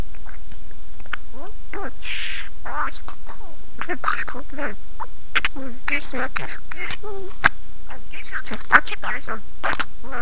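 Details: Parrot talking in Armenian with a long stream of varied mimicked words: wavering voiced syllables, a breathy hiss-like sound, and sharp clicks, delivered steadily without long breaks.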